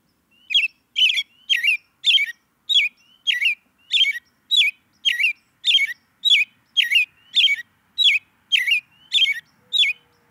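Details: An American robin gives a steady run of sharp, squeaky chirps, about two per second, each with a quick twist in pitch, with no other sounds.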